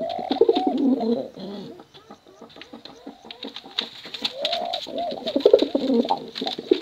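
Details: Bekuran cooing by male and female pigeons in competition. Throaty rolling coos open and close the passage, and a stretch of dense clicking and tapping fills the middle.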